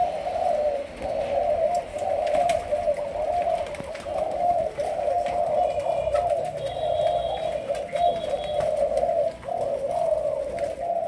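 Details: Young Malaysian spotted dove in training as a decoy bird, cooing in a long continuous run of low, rolling, slightly wavering notes with little pause, over a faint indoor background hiss.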